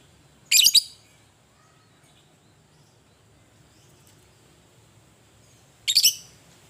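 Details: Fighting lovebird, ngetik ngekek style: a harsh, high chattering burst, a long pause of about five seconds, then a second similar screech, with faint background hum.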